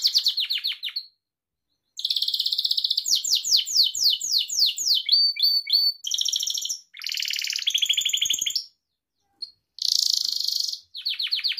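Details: Gloster canary singing as a pet: varied tours of quick downswept notes, dense buzzy rolls and sharp chips, about four units a second, separated by short silent gaps in a clean recording.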